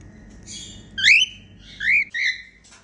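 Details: A female cockatiel making happy sounds: a quick run of three clear whistles, the first sweeping sharply upward, the next two arching, mixed with buzzy chattering overtones.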